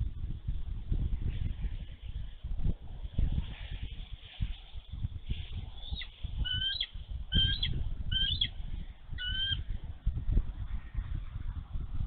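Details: Female bald eagle at her nest in Minnesota on a snowy March 11, 2023, defending her egg against a young eagle diving too close. A short run of sharp, high two-toned squeaky notes breaks through steady low wind rumble.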